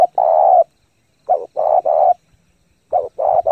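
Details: Spotted dove decoy giving fast 'thúc gù' cooing meant to stir up lure birds and train newly caught doves: three phrases of low, hoarse coos, each a short note followed by a long rolling one, in a quiet background.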